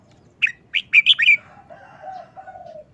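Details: Caged red-whiskered bulbul in a brief, rapid wild-style song phrase: five or six quick liquid whistled notes tumbling together, followed by a softer, lower drawn-out tone that fades away.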